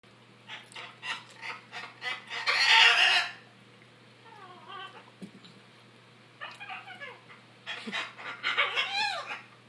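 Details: Noisy macaws, one behaving aggressively, give harsh broadband squeals and goose-like noises: scattered short squawks, a loud rasping burst near the third second, then a cluster of bent, descending notes toward the end.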